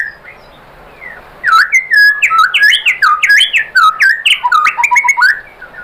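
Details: White-rumped shama song played to lure other shamas into answering: after a quiet start, a loud fast cascade of melodious whistled notes with abrupt pitch jumps and crisp high ticks, over soft background hiss.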